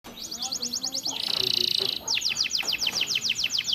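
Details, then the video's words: Canary tutor song for training captive birds, laced with ciblek and prenjak phrases: a row of quick downslurred high notes, a dense buzzy burst in the middle, then faster repeated slurred notes. "MASTERAN KENARI ISIAN CIBLEK PRENJAK MEWAH"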